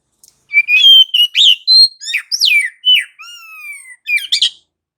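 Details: Oriental magpie-robin, locally kacer, in nonstop gacor ngerol rolling song, a lure to make other magpie-robins sing: a rapid varied series of whistles, downward swoops and buzzy chirps, with one long falling whistle near the end.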